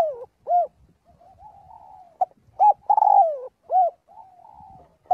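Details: A spotted dove calls the flock during its daily voice training. Two phrases of short hollow notes and a sustained, throaty coo sliding downward come about two seconds apart, with quiet, even cooing filling the spaces.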